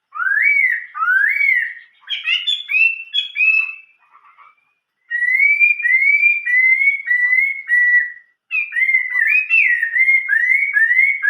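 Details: Chinese hwamei, old-forest voice (giọng rừng già) song: rising whistles, a jumble of quick notes, then a steady series of slightly falling whistles, a short break and more looping, swooping phrases.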